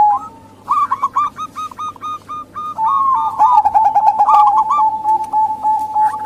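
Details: Female local zebra dove cooing to lure males that seldom call: a quiet start, then rapid stuttering coo notes building into overlapping trilled phrases, with clicks and a steady hum behind.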